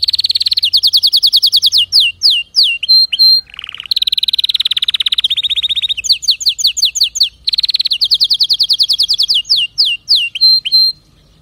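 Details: Long canary song passage: bright rapid trills alternate with runs of falling slurs, short whistled pips and a low buzzy burst. The sequence is repeated almost identically, with little background noise.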